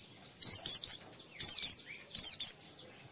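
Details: Oriental white-eye song played in the morning to coax other white-eyes into singing: three quick bursts of high, thin, tumbling chirped notes, each about half a second, separated by short silences.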